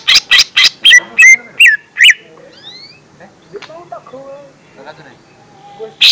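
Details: Lesser green leafbird recorded as a lure sound for young birds: a rapid burst of about eight sharp, loud chirps, then softer varied whistled and slurred notes, with a final sharp chirp.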